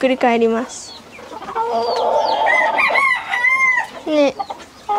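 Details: Domestic chicken: a pet rooster with a neurological disorder that twists his head, on a Hawaii farm, gives a long, strained, harmonic crow over about two seconds, wavering then falling, framed by shorter throaty clucks from the flock.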